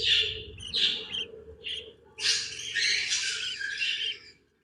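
A young budgerigar gives harsh, raspy chirps, first in short bursts, then a longer scratchy run.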